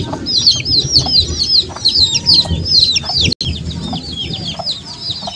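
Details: Many young chicks cheep together, their shrill falling peeps tumbling over one another at a quick, uneven pace, with a brief dropout near the middle and soft low background noise.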